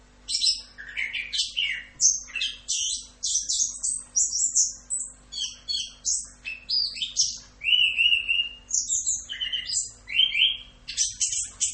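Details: Orange-headed thrush singing full rock'n roll tutor song at length: fast, varied high phrases of chirps, trills and squeaky notes delivered in quick succession, broken by a long smooth rising whistle, over a faint steady hum.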